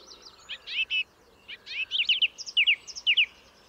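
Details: Singing song thrush giving short, rapid clusters of sharp notes, doubled and tripled, repeated in bursts with brief pauses between phrases.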